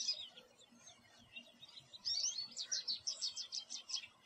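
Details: An American goldfinch sitting in a backyard tree sings a long, rambling run of high, twittering notes and sweet warbles, quick and uneven, growing louder in the second half.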